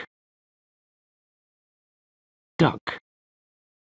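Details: Near silence broken by two short bursts of a human voice toward the end, with no animal heard.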